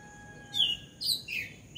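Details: A bulbul on a house roof gives three quick, bright chirps within about a second, the last falling slightly, over a faint steady hum.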